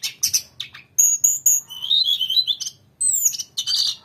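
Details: Grey-cheeked bulbul in energetic long song: sharp high chirps, then a wavering run of whistled notes, a falling whistle and closing twitters, over a faint low hum.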